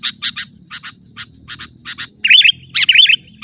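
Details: Lure call of a sooty-headed bulbul, used to draw in wild birds and as a master recording. Soft short chirps in pairs give way to louder twisting double notes near the end, over a low background rumble.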